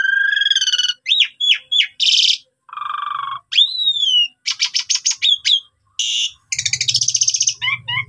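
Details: Asian pied starling in full training song to provoke rivals: rich mix of whistled upslurs and downslurs, buzzy rasping bursts, rapid clicking trills and a short low warbled phrase, delivered in quick varied sequence with a faint low hum near the end.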